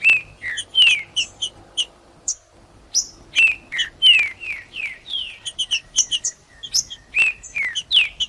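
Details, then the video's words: Warming-up song of a cold green-winged saltator: rich downslurred whistles alternating with sharp, high chip notes, repeated densely with a short pause early on. "TRINCA-FERRO CANTANDO FRIO"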